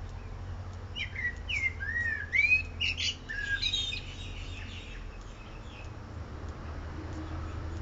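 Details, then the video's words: A male songbird sings a phrase that opens the same way as his other songs and ends with varied tones and tunes: chirpy, swooping whistled notes and quick rising slurs over about three seconds, then steady low background noise. "Bird of multiple songs"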